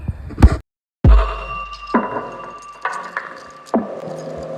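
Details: Woodpecker drumming in the morning, back at work near felled trees; single hollow knocks about one per second, five blows with faint ringing after each; owner suspects neighbours' tree cutting removed its homes and woodpeckers are building new ones.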